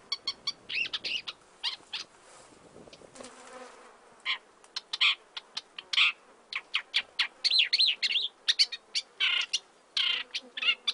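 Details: Isabelline shrike in Iran gives a fast, scratchy run of harsh clicks, chatters and squeaky notes, mostly high-pitched, with brief pauses between bursts.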